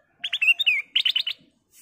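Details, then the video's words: Black-crested Bulbul (kutilang emas) in full song, used as a lure for other birds: two quick bursts of bright, bubbling chirps, clear and mid-high, with a brief pause between them and a faint hiss at the end. "Burung Kutilang Emas Gacor suara kristal"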